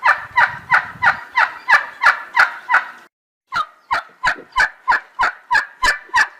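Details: Turkey calls: a fast, even run of short, throaty, clucking notes, about three per second, that breaks off briefly and then resumes at the same steady pace.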